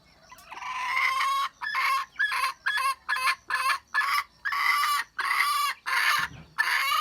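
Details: Red junglefowl hen in the wild, 27 January 2015: a rapid series of harsh, grating notes. It opens with a long note, then runs through shorter clipped bursts of roughly half a second, rising and falling in loudness, against little background noise.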